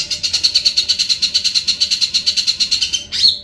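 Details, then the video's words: Grey-cheeked bulbul in full, lively song described as a clear ngebren trill: a fast, even rattle of buzzy notes repeated about seven times a second for three seconds, ending in one brief sliding note. "Cucak Jenggot Gacor Ngebren dan Jernih"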